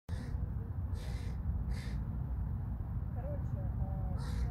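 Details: A hooded crow feeding its fledglings gives four harsh, rasping caws about a second apart, over a steady low rumble with a few faint voices.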